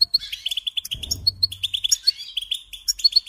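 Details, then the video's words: Brisk goldfinch song: evenly spaced high chirps building into rapid tinkling trills, with a soft low rustle near the start. "Supporting and Singing Along with Goldfinches"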